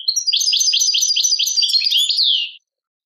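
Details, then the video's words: Tadmait-style song of a European goldfinch from Algeria: one unbroken run of fast, tinkling twitters ending in a rising slurred note, about two and a half seconds long. "chardonneret chant tadmait"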